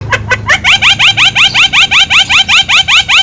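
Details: Javan myna singing vigorously, recorded as a master recording for training other songbirds; after a few low clucks comes a fast run of identical ringing harmonic notes, each sweeping upward, repeated about two and a half times per second.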